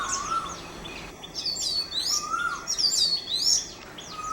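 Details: Oriental magpie-robin, Mormugao Harbour, Vasco da Gama: varied high whistled and trilled phrases rising and falling, with a lower drawn-out slurred whistle at start, middle and end.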